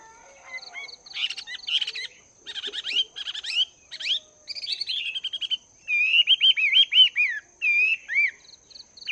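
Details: Chinese hwamei kept two months in a cage, practising its voice at morning: dense, varied song of rapid trills, slurred notes and a run of looping upslurred whistles, loud and continuous, over a constant thin high-pitched whine.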